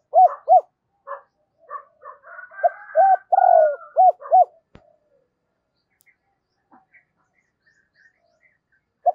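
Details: Spotted dove used as a lure, calling in double voice: two quick low arched coos, scattered short notes, then a louder phrase of rounded coos over a rough, buzzy layer, followed by near silence with faint distant chirps.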